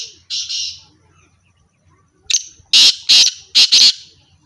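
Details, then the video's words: Pair of black francolins: a buzzy double note, a quiet gap, then a sharp note followed by four loud, rasping, grating notes delivered quickly. Faint low hum in the background. "teetar black teetar irani teetar pair sound of teetar"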